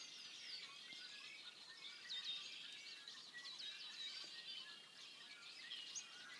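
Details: Hundreds of male Red-winged Blackbirds gather before nesting to call in females on the Chilcotin Plateau on an overcast, rainy, snowy 6 April 2014. They make a dense chorus of overlapping high, squeaky chips and slurred whistles, pausing to listen for hawks.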